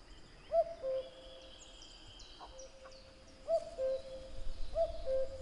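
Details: Singing common cuckoo giving three descending cu-coo calls, the last two closer together, over a chorus of higher-pitched songbirds and soft background rustle.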